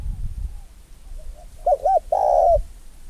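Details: Young male spotted dove, 11 months old, kept as a decoy and taken out for the first time, calling after nearly half an hour of silence: two short looping coos followed by one longer drawn-out coo, over a low rumbling background.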